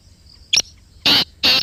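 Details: Pakistani black francolin (Kala Teetar) heard near the microphone giving a sharp short note followed by two loud, broad, grating rasps spaced about half a second apart.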